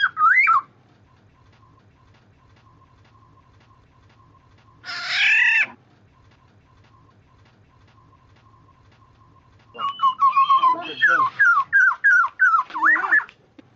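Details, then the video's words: Black-naped oriole lure: a short fluty whistle, a long pause, a harsh nasal squawk, then a burst of rapid repeated liquid whistled notes and mellow phrases. "suara burung kepodang pemikat mp3 (golden orioles)"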